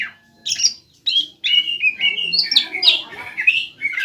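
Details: Greater green leafbird singing to rouse an opponent bird into answering: a few clipped opening notes, then an almost unbroken chain of bright, wavering whistles and warbles.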